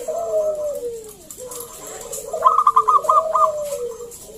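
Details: Lure song of a local wild zebra dove: long, low, gliding coos open the recording, then a bright staccato burst of about six rapid high notes comes in over continuing lower, falling coos.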